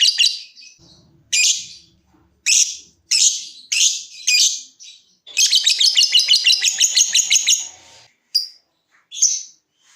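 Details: Lovebird song used as a lure to prompt other lovebirds to trill: short harsh chattering bursts about every half second, then a long rapid rattling trill for two seconds, followed by two more brief notes.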